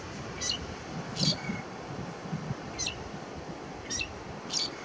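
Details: Lesser grey shrike singing on Fuerteventura in 2018; short, harsh, scratchy notes repeated roughly every second, some ending in a faint lower tone, over a quiet low rumble.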